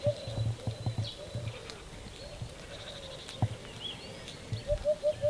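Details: A Eurasian hoopoe, identified by a viewer, calls after heavy rain at a rural property, apparently in Spain: soft, hollow, low "oop-oop-oop" notes in a quick even run over a steady low rumble.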